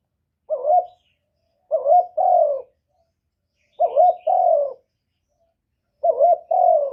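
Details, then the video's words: Spotted dove decoy song meant to excite wild rivals: low hollow coos in pairs, a brief wavering note followed by a fuller descending one, repeated four times with gaps of about a second. "CU gáy Mồi Cực hay hạp bổi thúc gù bổi ghét, tiếng chim cu cườm, cu đất"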